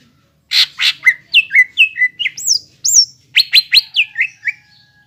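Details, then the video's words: Greater green leafbird in full song, a gacor bird used to train young birds to sing: two harsh chips open a lively varied phrase of sweeping whistles, some rising high and thin, ending in rapid chirps. "PANCINGAN CUCAK IJO BAHAN ATAU BAKALAN AGAR CEPAT GACOR"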